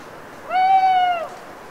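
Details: Owl singing its lugubrious song alone at night in a rain-soaked autumn wood in the Cévennes foothills, France; one smooth, rich hoot about three quarters of a second long, arching slightly, over quiet drips.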